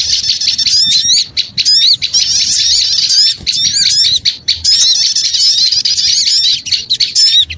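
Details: Lure sound of noisy small birds, with many voices squawking and chirping at once, high and shrill, their wavy trills packed tightly together with only momentary lulls.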